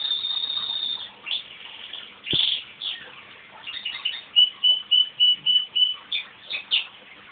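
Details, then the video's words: Small crossbred pet male canary singing after its owner starts it off with a whistle: a steady high tone, then soft twittering and a run of bright, evenly repeated short notes, fairly quiet. "Canary singing"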